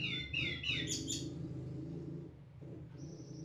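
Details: Snowy-browed flycatcher song used as a master recording to provoke other flycatchers: a quick series of high, slurred whistled notes in the first second, then a long steady high whistle, over a constant low hum.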